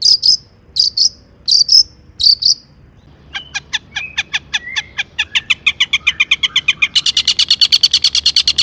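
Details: Long-tailed shrike song rich in mimicked fill-ins, used as a lure to make other shrikes sing: four paired high sharp notes, then an accelerating series of clicking notes merging into a continuous harsh rattle.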